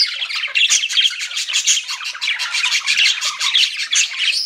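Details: Several pet budgerigars indoors chirping in a dense, continuous chatter of rapid warbled notes and squawky twitters, with no pauses across the whole stretch.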